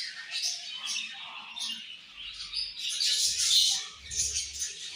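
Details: Colorful budgies chirping together: a dense, busy chatter of high, scratchy twitters and short sharp chirps overlapping continuously, with brief louder bursts near the middle and end.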